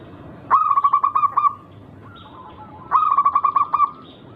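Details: Rare local zebra dove song with an unusual rhythm, played to provoke rivals to call back: two separate phrases, each a fast string of about nine bubbling, pulsed coo notes, divided by a two-second pause with a softer note.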